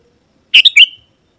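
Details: Sooty-headed bulbul (kutilang) in lively, persistent song, a recording meant to call rival wild birds: one short bubbly phrase of two or three quick, bright notes with a harsh edge, ending in a brief downslurred tail.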